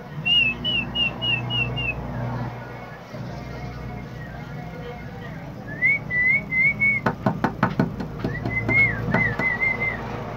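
Common myna giving a quick run of six high whistled notes, then looping rising whistles broken by a burst of sharp clicks, over a low background hum.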